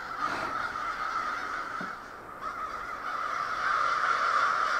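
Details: A huge flock of crows in a backyard park, many birds calling at once in a dense, continuous chorus of harsh caws, with a brief lower sound near the middle.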